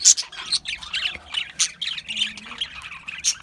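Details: Australian budgies chirping: a burst of rapid, scratchy high chatter with sharp squeaky notes, broken by short pauses, several quick phrases within a few seconds.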